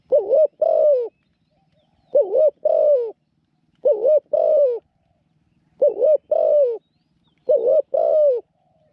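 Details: Newly acquired caged decoy Spotted Dove, used to lure wild doves toward a trap cage, coos steadily in a small voice: five paired phrases, a quick dipping note then a longer falling coo, repeated about every two seconds.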